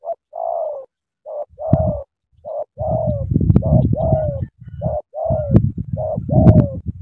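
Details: Spotted dove kept as a decoy bird in Cà Mau, Vietnam, giving a run of short mellow coos, each slightly falling, in quick repeated phrases, over a low rumbling background of handling noise.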